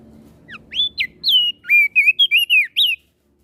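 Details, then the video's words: Crested white-eye of Flores singing to stir up other birds: a quick string of clear, upslurred and downslurred whistles, each short and bright, running for about two and a half seconds before silence. "Opior Jambul flores Gacor Bikin Emosi Burung Yang Dengar Pasti Langsung Ribut"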